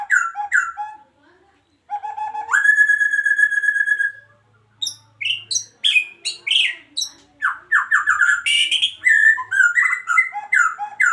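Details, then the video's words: Adult breeding male white-rumped shama of the Medan type singing in a breeding cage: short slurred notes, a long steady ringing whistle of nearly two seconds, then a lively run of varied whistles, trills and sharp chips. "Murai Batu Medan Gacor"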